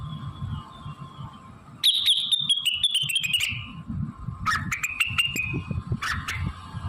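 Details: Blue-winged leafbird in full song with mimicked fill-ins from magpie-robin, canary, prinia, ciblek, kapas tembak and cililin: bursts of sharp clicking notes over a bright warbled phrase, then two shorter rapid bursts, over a steady hum and low rumble.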